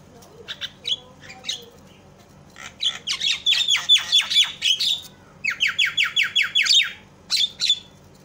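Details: Javan myna calling as a lure to get other mynas calling; scattered clicks open, then fast series of harsh, evenly repeated rasping notes in two bouts, closing with a couple of squawks.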